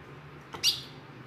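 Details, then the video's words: Ten-year-old female ultramarine grosbeak from the Sertão of northeastern Brazil calling to teach and warm up males: one short, sharp high chirp with a faint lead-in note, over a low steady hum. "fêmea de azulão A melhor do Sertão CHAMANDO"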